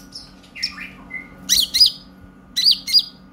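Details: Konin (purple-throated sunbird) chatter used to get young birds singing: a falling slurred whistle, then two pairs of sharp, buzzy high chips, each pair close together.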